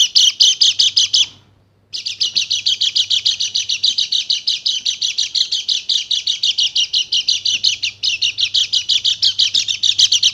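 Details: White-eye from Bali, a female bird used to excite males, pouring out a dense, unbroken chatter of rapid high buzzy notes, pausing briefly near the start then resuming nonstop; a soft low hum sits beneath.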